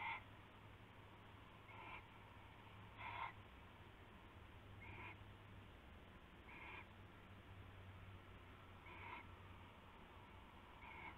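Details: Owl screeching before dawn on 19 February 2016 during a rabbit prey exchange; soft hissing bursts come roughly every one and a half to two seconds, fading in strength, with a low droning hum throughout.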